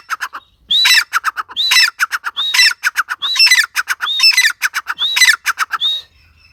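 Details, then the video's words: Grey francolin giving loud, harsh, rhythmic phrases. Each opens with a rising whistle and is followed by a rapid run of clipped strident notes, repeated about every second for six seconds. "Gray francolin | teetar ki awaz | Dakni teetar ki awaz"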